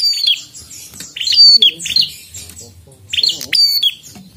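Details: Prinia in loud, insistent song, delivering bright, sharp notes that drop in pitch, grouped in short rapid phrases with a brief lull midway, soft low sounds underneath.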